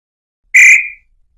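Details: A single loud, pure whistle from a tataupa tinamou (nambu pé roxo), sung to attract male and female, trailing off smoothly in a silent background.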